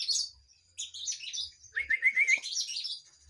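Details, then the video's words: Active kinoi song: rapid high chirps followed by a quick series of rising whistled notes, then more twittering, over soft low thudding. "Kinoy gacor"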